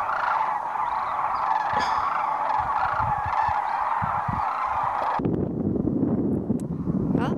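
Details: Wintering sandhill cranes in a large flock settling and lifting again at Whitewater Draw, Arizona, in 2010: a thick wall of overlapping rolling calls, then a sudden shift to closer, louder bugling with low handling noise near the end.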